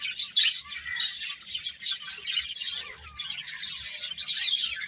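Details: Many small birds chatter together in a continuous stream of bright, high chirps, with bursts of louder twittering about every second.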